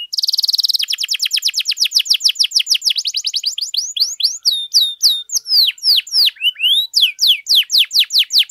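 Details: Canary singing at length as a master recording for training young canaries: a buzzy opening trill, then long runs of fast downward sweeps becoming slower, louder swooping notes.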